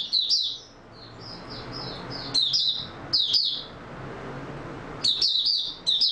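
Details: Oriental white-eye in stable singing form, 28 February 2022: sharp high twitter bursts, then a run of softer, thin whistled notes before loud chirping clusters return.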